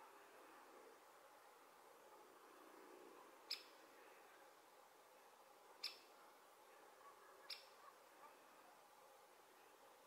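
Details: Great spotted woodpecker on a telephone pole in Sardinia, recorded at full zoom on a Sony RX10 III: three abrupt, clipped 'kik' notes a couple of seconds apart, then a few faint ticks, over quiet low background noise.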